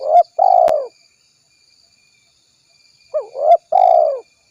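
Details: Spotted dove calling, used as a lure for trapping: low, soft cooing phrases, a short note followed by a longer drawn-out coo, then after a pause a quick pair of notes leading into another long coo, with one sharp click.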